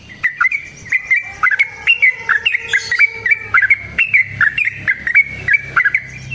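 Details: Long fighting song of a yellow-vented bulbul, used as a lure to make other birds reply: repeated clipped whistled phrases with sharp attacks, with a fainter lower whistling voice underneath in the middle.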